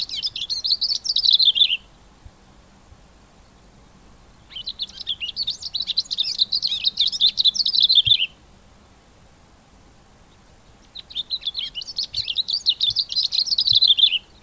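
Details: Cape grassbird male in song at the onset of the spring breeding season in September: three long bursts of rapid, jumbled high warbling notes, each lasting about three to four seconds, separated by pauses of a few seconds.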